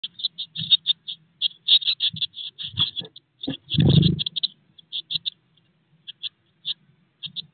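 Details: Eurasian blue tit chicks, 16 days old, in a nest box shortly before fledging, giving dense runs of short, high, sharp begging chips in quick bursts, with low thumps and rustling of movement inside the box.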